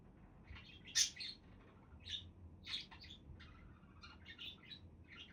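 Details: Budgerigar chatter: one loud harsh squawk followed by scattered softer chirps and twittering notes spaced irregularly.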